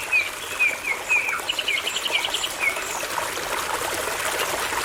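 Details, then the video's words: Common nightingale song of short, clear whistled notes repeated about twice a second, then a quick rattling trill, in forest near a babbling brook, with the steady rush of running water behind. "Nightingales and Birds Singing"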